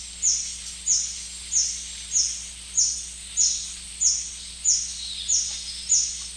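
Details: White-bearded hermit along the Shiripuno River, visiting wild ginger flowers, gives thin, very high squeaky notes, each sliding slightly downward, repeated steadily about every two-thirds of a second over a faint low hum.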